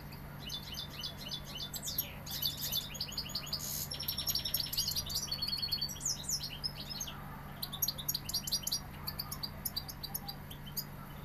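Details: European goldfinch from Seville in full, fluent song, a long chain of rapid tinkling twitters, buzzy trills and sliding high notes with hardly a pause, over a low electrical hum.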